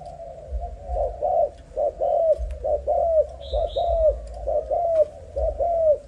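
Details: Cooing from a young Malaysian spotted dove, low mellow notes in short-long pairs rolling on without a break for six seconds; a thin twittering chirp from another bird appears once midway.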